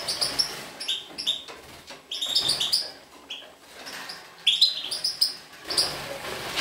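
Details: European goldfinch, recorded in 2012, singing bright, tinkling twittered phrases mixed with buzzy trills, delivered in lively bursts separated by short pauses.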